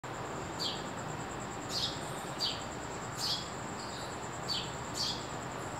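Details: A sparrow in early morning gives short, bright, downslurred chirps, one every second or so and unevenly spaced, over a steady high insect drone and soft background hiss.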